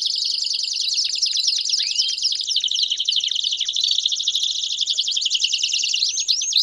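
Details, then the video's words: Chorus of several Belgian canaries: a continuous high warbling trill broken by falling slurs and a few looping up-curved whistles. "Vários Canários Cantando Junto Estimule seu Canário Belga a Cantar Muito!!!"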